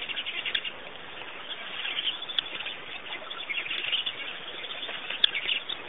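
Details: A steady stream of high, thin chirps and twitters from birds at Pete's Pond, Botswana, with a few sharp clicks standing out above the chorus.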